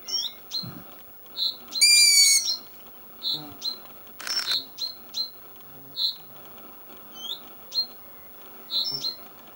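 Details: Young long-eared owl in Edinburgh calling: short, high squeaky notes about once a second, with a louder drawn-out squeal and a brief rushing burst between them.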